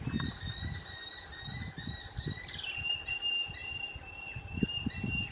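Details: Southern crested caracara fledgling calling for food from its parents: long, steady, wheezy, tonal notes strung almost continuously, one sliding downward midway, against low background rumble and scattered thumps.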